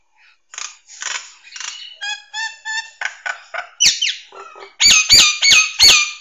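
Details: Nias hill myna song, used as a master recording for training songbirds: a varied run of rasping bursts, stacked ringing notes repeated in pairs and short clear whistles, ending in four loud, harsh, honking notes about half a second apart.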